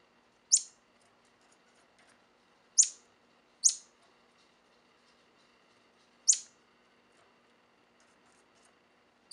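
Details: Male orange bishop weaver singing: sharp, very high chirps, each a short downward-sweeping note, given singly at uneven gaps of one to three seconds against a quiet background.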